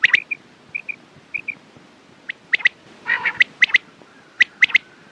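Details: Quail giving soft paired whistled pips, then sharp clicky double and triple notes around a short harsh rasping burst.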